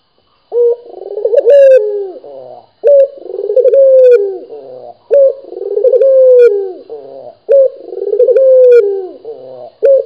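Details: Barbary dove of a local strain, a keen caller, delivering four rolling coo phrases in ten seconds. Each starts with an abrupt low note, swells into a throbbing trill and closes on a sustained tone, with short silent gaps between.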